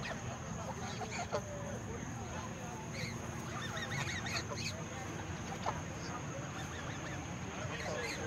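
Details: Large flock of over a hundred geese being fed in the countryside, giving scattered honking calls that overlap one another against a steady background of murmuring and rustle.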